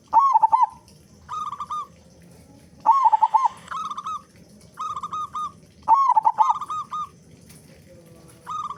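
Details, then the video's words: Active local zebra dove with a big voice, intended as a lure to get other doves calling: repeated low cooing song, loud stuttered notes then rolling trilled phrases, cycling about every three seconds. "Perkutut Lokal Gacor Suara Besar Pancingan Burung Perkutut Agar Cepat Bunyi"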